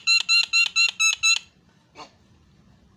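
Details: Javan myna on a tutor recording for songbird training. Six loud, nasal, ringing notes come in quick even succession, followed by silence and one soft rasping note.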